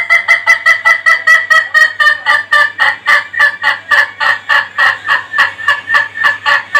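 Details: Ayam Ketawa, the laughing chicken, gives a long rapid crow broken into quick harmonic pulses, about two per second at first, then faster and more uneven, like cackling laughter, with a faint steady low hum behind.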